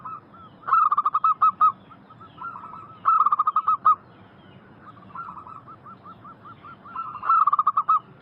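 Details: Zebra dove of a local strain cooing as a lure for wild birds: several rhythmic bursts of quick, evenly pitched notes, each run of six to eight beats, separated by softer cooing phrases.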